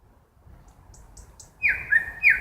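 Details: Brief nightingale phrase from a night-time forest: faint high ticks, then two loud, sustained whistled notes.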